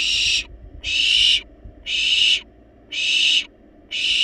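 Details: Wild barn owl chicks in a monitored nest box in Israel playfully beg for food despite being well-fed, giving harsh, breathy hisses, each about half a second long, repeated roughly once a second; nothing else is heard.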